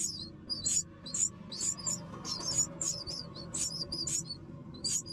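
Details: Baby mynas calling while a parent arrives with food, giving shrill, thin squeaks in quick clusters with short gaps between them, against a faint low background drone.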